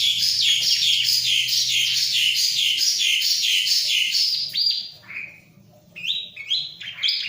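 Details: Steady series of rapid, evenly repeated chirping notes from a ciblek (bar-winged prinia), followed by a pause and a few separate down-slurred whistles, over a low hum.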